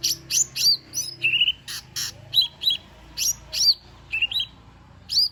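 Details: Lesser green leafbird delivering a busy song with fill-in phrases, a lure for a reluctant singer: dense series of sharp whistled sweeps and buzzy notes, repeated steadily with short pauses.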